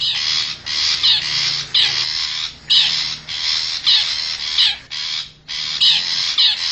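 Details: Wild long-tailed shrike of the forest, lure sound for drawing in wild birds: grating, noisy squawks in uneven bursts with a few short pauses, some notes sliding downward at the end.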